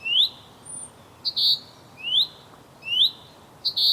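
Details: Male common chaffinch calling to his mate, giving sharp upward-sweeping whistled notes at regular intervals, alternating with brief loud ringing bursts; background otherwise quiet.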